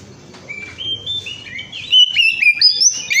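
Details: Oriental magpie-robin singing in energetic 'gacor ngemplong' style, a recording used as a lure to prompt other birds to sing; soft scattered notes give way after two seconds to loud, clear whistled phrases sliding up and down.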